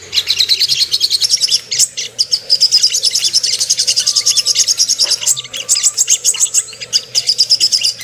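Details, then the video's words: Ruby-cheeked sunbird song used as a lure to provoke aggression and breeding arousal: sustained, very rapid high twittering with sharp chips, running nearly without pause throughout. "PANCINGAN AMPUH BURUNG SOGOK ONTONG CEPAR EMOSI DAN NAIK BIRAHI"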